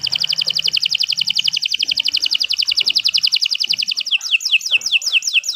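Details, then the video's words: Long, loud canary song made of a fast, even trill of high paired notes lasting several seconds, ending in a run of crisp falling whistles. "Kicau Burung Kenari 165 II LUAR BIASA GACOR PANJANG Cocok untuk Masteran"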